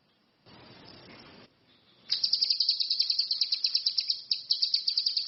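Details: Orange-headed thrush singing a fast, buzzy chattering trill of evenly repeated high notes lasting about three seconds, after a short burst of broad hiss.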